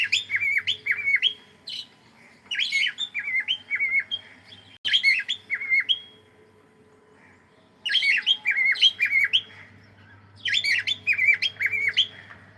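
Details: A cockatiel sings as it plays, delivering repeated phrases of bright whistles and warbles, each phrase about a second or two long, separated by quiet gaps, over a soft steady background hum.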